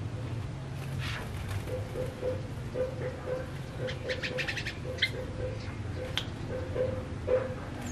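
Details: Tame male yellow-vented bulbul singing actively in rapid ropel style: short bursts of bright, chattering notes, loosest around the middle and again near the end, over a steady low hum and a faint repeated low ticking.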